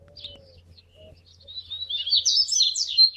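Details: Rusty-collared seedeater warming up to sing: a few scattered high notes, then from halfway a rising run of quick buzzy, slurred phrases high in pitch, growing louder toward the end, with a low steady hum beneath.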